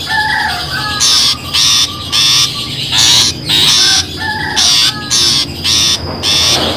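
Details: Long-tailed shrike call used as a trapping lure: rasping, buzzy bursts about half a second long, repeated in a quick, uneven series with short gaps, preceded by a few faint thin whistled notes.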